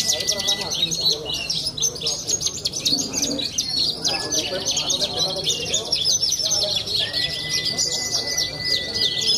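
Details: Young captive Australasian bushlark at a songbird contest in Cilacap, Java, giving a dense, rapid, chattering high song of buzzy trills, with steady thin whistles from other birds and crowd murmur beneath.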